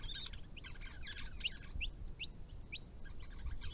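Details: Grey-crowned babbler family group at a water spot in Victoria during hot weather, calling to each other: quick chattering notes with sharp high squeaks roughly every half second.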